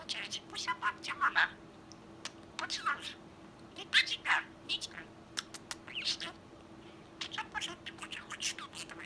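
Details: Sky-blue male budgerigar, roughly a year old, kept as a pet and learning new words daily, mimics speech with rapid squeaky word-like phrases and chirps coming in clustered bursts over a faint constant room hum.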